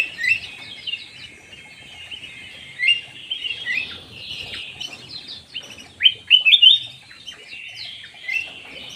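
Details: Black-naped oriole lure call of rambling high twitters, punctuated by loud sharp chirps and a cluster of ringing notes toward the middle.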